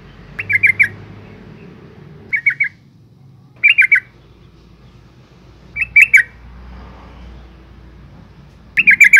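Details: A female yellow-vented bulbul calls to attract males, giving short, harsh chattering bursts in five bouts at uneven intervals over a faint low hum.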